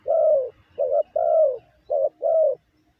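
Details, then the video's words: Spotted dove giving a lure call: low, mellow cooing with short clipped notes alternating with longer, slightly falling coos, five notes in about two and a half seconds, on a quiet background. "Tiếng chim gáy gù gọi mồi cực chuẩn"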